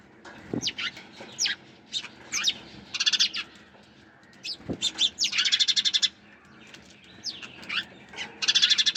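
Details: Sparrows give sharp, downslurred chips in loose series, interrupted by longer rapid pulsed trills of high notes, plus a couple of low thumps.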